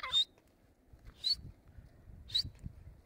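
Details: Grey francolin, known locally as Dakkni teetar, in a fighting context: three short, sharp, high-pitched notes about a second apart, each a bright clipped whistle, over a low rumbling background.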